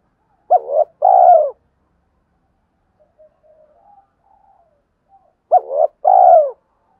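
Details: Spotted dove call used to provoke rival males: two bursts of low cooing notes, a short coo then a long pulsed descending coo, separated by about five seconds of near silence.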